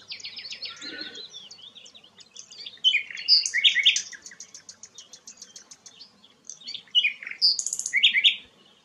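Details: Sikatan londo flycatcher in varied song: soft high twitters, then loud sharp notes mixed with rapid ticking trills and shrill squeaks, in bursts.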